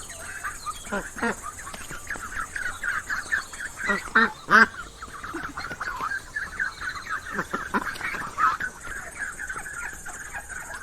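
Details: Ducklings in a pond keep up a busy chatter of high, short peeps, overlapping and steady, with a few louder, harsher quack-like notes near the middle.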